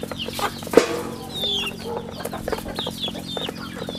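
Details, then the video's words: High, thin peeps of farm chicks repeat throughout. Early on there is a sharp knock, and a low steady hum continues in the background. "Good chicks sounds in the farm"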